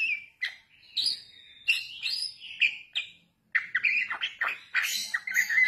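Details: Young Bali myna giving a varied jumble of harsh chatters, squeaky whistles and rising notes in quick bursts, with a brief pause midway.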